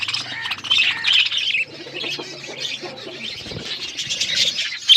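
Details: Several budgerigars chirping while eating food: a dense, continuous high chatter of overlapping squawky chirps and warbles, loudest in bursts near the start and end, with faint low rustling beneath.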